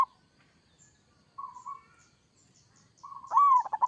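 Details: Local zebra dove in kerot-style song, used to draw replies from other doves: short soft cooing notes, then a louder phrase with a rising coo breaking into quick pulsed trills.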